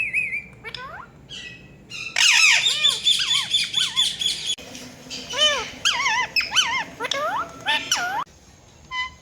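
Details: Ringneck parrot, a rose-ringed parakeet, in a harsh, noisy squawking outburst followed by rapid series of swooping chirped notes, then a quieter tail of scattered short calls.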